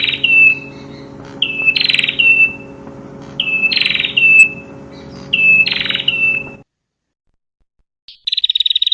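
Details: Female prinia calling: a short buzzy note followed by a bright descending whistled slur, repeated in pairs about every two seconds over a steady low hum, then a brief rapid buzzy burst at the end.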